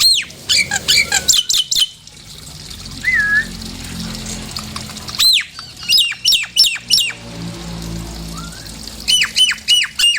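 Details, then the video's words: Nias hill myna whistles used as a provoking lure for songbirds: quick clusters of piercing, arched notes, a soft rolling whistle in a quiet gap, then another fast series of loud, bouncing whistled calls. "PANCINGAN SUARA JALAK NIAS"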